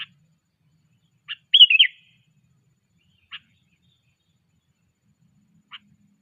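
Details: Sooty-headed bulbul under training, 'cengkram' style, delivering one short bubbling whistled phrase among a few isolated sharp ticks spaced seconds apart, in quiet surroundings.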